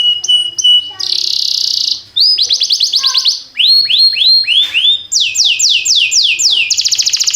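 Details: Canary song meant to train young canaries: crisp high chips, a harsh buzzy roll, then repeated swooping slurs and a sequence of strong downward-sweeping notes ending in a fast trill.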